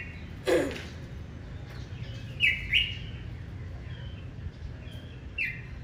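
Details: Morning challenge song of a red-whiskered bulbul, very fierce, intended to stimulate males: a pair of loud clipped whistled notes, then softer scattered ones, after an opening low thump, with faint birdsong behind.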